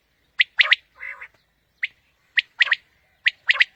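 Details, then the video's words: Quail calling as a lure for morning hunting: crisp clipped triplets of high notes repeated about once a second, with one lower, nasal buzzy note after the first phrase. "Batair ki new Awazay| Quail Calling 2020 | Batair Ki Awaz suba ki shikar Ki liye|Saaf Batair Ki Awaz"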